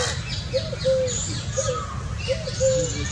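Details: Indian scops owl family: clear, soft, slightly rising then falling hoots in close pairs, repeated twice within a few seconds, with faint high chirps and low background noise.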